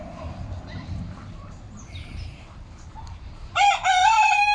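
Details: Domestic chickens kept as a home flock, recorded on Monday 10 October 2022: faint background rustle, then a loud, harmonic, drawn-out crowing call bursts in for the final second.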